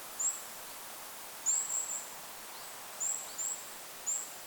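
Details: Five brief, extremely high thin notes from a Goldcrest in forest above a lake, spaced irregularly about a second apart, soft wind behind.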